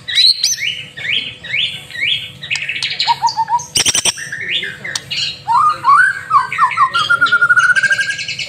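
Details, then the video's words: White-rumped shama singing vigorously as a tutor recording meant to prompt other birds to sing: rapid varied whistled phrases, rising slurs repeated in series, then a fast descending trill of chirps, over a faint steady hum. "Murai Batu Masteran sekali Pancing Langsung GACOR"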